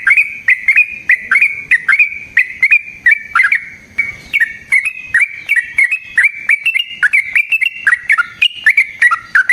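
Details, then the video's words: Lively sooty-headed bulbul fighting song with long rolls, a lure to stir other bulbuls: steady, fast series of bright, bubbly chirps that dip and rise, continuing almost without pause throughout. "Burung TRUCUKAN GACOR Ropel Panjang"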